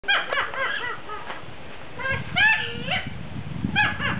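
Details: Caged cockatoo at a wildlife rescue centre in North Sulawesi, Indonesia, laughing out loud to greet people: bursts of harsh, stacked, rising and falling cackles in quick clusters, separated by short pauses, with faint room noise behind.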